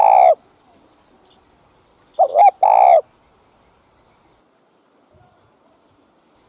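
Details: Spotted dove, known as cu gáy, calling to attract wild doves: deep hollow coos, one at the start, a stuttered pair with a longer note near the middle, another at the end, with quiet gaps.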